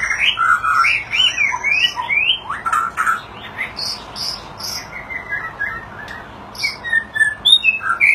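White-rumped shama singing a rich, varied run of fluty whistles, slurred rising notes and high sharp chips, phrases shifting every second or so.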